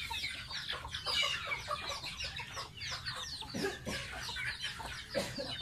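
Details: Young pet domestic goose during a bath, giving rapid shrill cheeping notes that tumble downward in quick, overlapping bursts, with a few lower clicks and splashy knocks.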